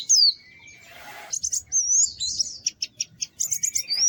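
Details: Sweet white-eye song of varied high whistles and slurs, broken by a soft rustling noise, then spaced sharp chirps and twittering phrases.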